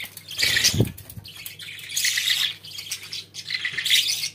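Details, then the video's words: Budgerigars kept as pets chattering in loud rasping bursts of high notes about every second and a half, with a low bump early on. "Muhabbet Kuşlarınız Bu Sese Bayılacak & Ötme Garanti"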